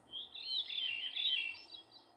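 A Veery's song: a fluty, ringing phrase that spirals downward in overlapping high notes for about a second and a half. Faint background hiss.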